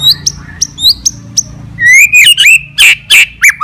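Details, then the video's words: White-rumped shama fighting song used to rouse other shamas, opening with repeated short high whistles, then a run of loud rich warbled and rasping notes in quick succession. "KICAUAN GACOR FIGHTER MENAIKAN EMOSI"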